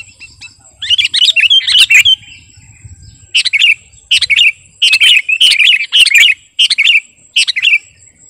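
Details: Master song of a sooty-headed bulbul, used to train or lure birds: bursts of bright chirpy, slurred notes in clusters about every second, with quiet pauses between phrases and a faint steady high tone.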